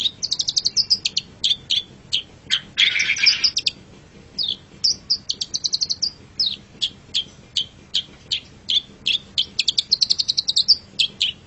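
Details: Long-tailed shrike, a cage bird, singing a training song for pet birds: rapid high chattering notes and short whistled slurs in quick bursts, with a harsh noisy rasp near the third second.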